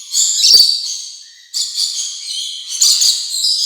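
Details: Shrill rainbow lorikeet screeches in three waves, each starting loud and harsh and trailing off, the second beginning with a sudden sharp onset.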